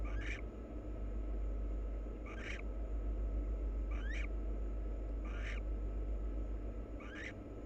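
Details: Wild barn owl pair preening each other, nest-box camera. Short rasping, slightly rising chirrups repeated roughly every one to two seconds, five in the clip, over a steady low background hum.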